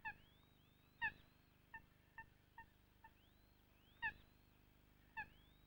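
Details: A Eurasian coot gives loud, abrupt, nasal single notes about every second, said to sound like the bird shouting its name, with quieter answering calls between; faint thin rising whistles come from another bird behind.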